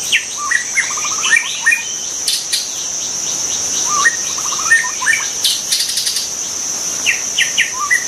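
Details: Wild white-rumped shama singing in nature: short whistled phrases and quick rattling note series around the middle pitches, with gaps between bursts, over a steady high insect drone throughout.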